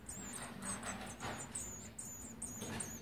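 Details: Olive-backed sunbird chicks being fed on the twelfth day of feeding, 29 September 2019: rapid, thin, very high squeaky chirps run continuously through the clip over a low background rumble.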